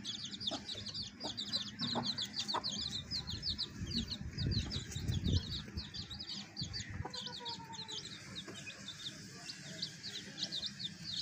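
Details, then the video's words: Several baby chicks beside a hen keep up continuous shrill peeping, quick high cheeps tumbling over one another, while low rustling and thumps swell in the middle and a brief lower call appears near the end. "cute baby chicks with hen"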